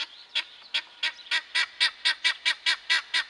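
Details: Helmeted guineafowl giving a fast run of harsh, rasping notes, about two per second, growing louder and steadier, over a constant background hiss.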